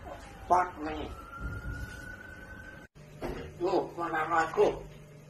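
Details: A pet grey parrot swearing, blurting out short, harsh, speech-like curse words. A long, slowly rising whistled tone, like a siren, sits between two bursts of chatter.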